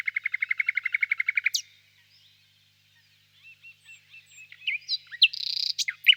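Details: ['Nightingale singing softly in the distance in a birch grove on a warm spring evening: a fast rhythmic series of about fifteen repeated notes, silence, then soft whistles building into varied chirps and a short buzzy burst.']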